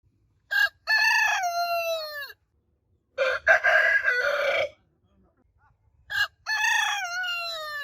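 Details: Several roosters crowing in turn: long harmonic crows that slide downward at the end, one after another, with a harsher, noisier crow between them and short gaps of quiet.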